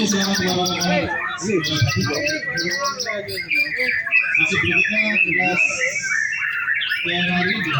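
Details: Afternoon contest-practice session of a white-rumped shama hung for routine training; rich, varied song of rapid rattling trills, clear whistles and sliding notes in bursts, with other birds and low human voices underneath.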